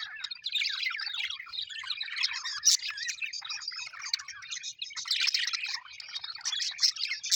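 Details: Happy Australian budgerigars kept as pets chatter and chirp continuously, soft warbles mixed with louder squawky bursts and quick high squeaks.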